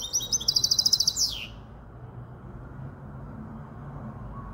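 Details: Short, sharp trill of about ten evenly repeated high notes, ending in a falling slur, from a five-month-old goldfinch hybrid in Casablanca; afterwards only a low hum remains.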